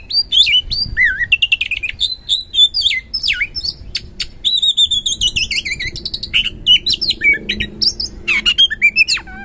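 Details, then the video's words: Singing oriental magpie-robin, played as a lure to spur silent birds to sing; a long run of varied whistled phrases, downslurred notes and fast chattering bursts, with faint low room noise beneath. "Super Ampuh Pancingan Kacer Gacor Ngeplong | Cocok Buat Memancing Kacer Yang Malas Bunyi Auto Respon"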